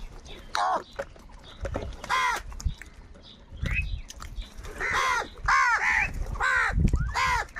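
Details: Angry crows fighting for food give harsh, loud caws in bursts of two or three, the later calls coming in quick succession with short gaps between the noisy outbursts.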